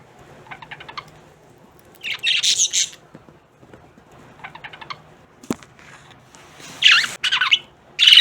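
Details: Several budgerigars (Melopsittacus undulatus) chatter in bursts of quick, scratchy chirps and sharp squeaky notes. Finding: Budgerigar.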